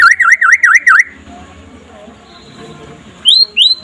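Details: White-rumped shama (murai pastol, trotol type) in daytime song, meant to stir other shamas into singing: four bold V-shaped whistled notes, a quiet gap with faint background, then two rising high whistles.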